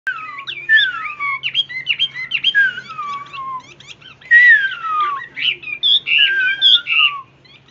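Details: A captive Chinese hwamei pours out a rich, varied song of loud clear whistles, many sliding steeply downward, in quick phrases with short pauses, over a faint low hum.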